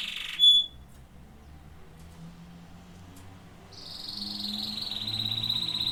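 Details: Canary producing one sharp chirp, then a pause, then a sustained buzzy trill that slowly drops in pitch over the last two seconds.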